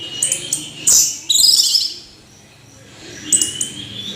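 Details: Orange-headed thrush singing tirelessly: short bursts of bright, high whistled and chattering notes, a pause of about a second, then more sharp high phrases.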